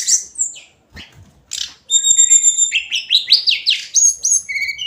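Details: Hill blue flycatcher in daily song: after a few scattered chirps, a continuous stream of bright high whistles and quick rising and falling notes sung in rapid succession.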